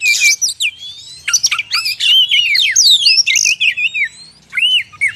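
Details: Oriental magpie-robin singing, used to entice wild birds: clear looping whistles, rising and falling slurs and chirps in varied phrases, broken by brief silences.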